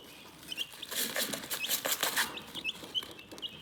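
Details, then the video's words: Chickens chirping in a calm, relaxing setting: a dense chorus of thin, high peeps overlapping one another, with a louder burst of scratchy rustling and tapping in the middle. "Chicken Relaxing Soothing Chirping Sounds"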